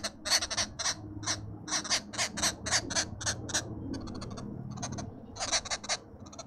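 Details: Arrow-marked babblers at supper time in a suburban garden in Pretoria, South Africa, give a harsh, rasping chatter of overlapping calls in quick, irregular bursts over a low background hum.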